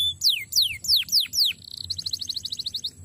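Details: Five loud, swooping downslurred whistles from a canary, each about a third of a second apart, then a quick chattering series of short high notes, from a tutoring recording.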